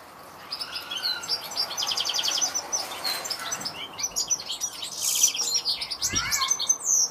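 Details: A European goldfinch pours out a lively, jangling warble, with buzzy trills and bright, tinkling notes building in strength through the phrase, and a soft low thump near the end.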